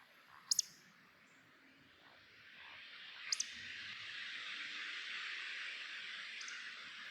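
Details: At dusk in summer over Hazeley Heath heathland, a male Eurasian woodcock roding in display flight overhead to attract a mate gives sharp, high squeaks about every three seconds, the last one fainter, over a steady background hiss.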